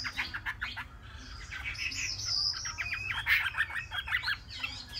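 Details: Three-month-old caged Chinese hwamei sings a rich, rapid run of varied whistles and chattering notes, rising and falling in pitch without pause.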